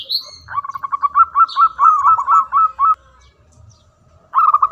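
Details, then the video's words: Local zebra dove, a loud singer, performing manggung: a long, fast run of staccato coo notes that rises slightly and then levels off, followed by a pause and the start of another run. "Perkutut Lokal Gacor Suara Besar Manggung"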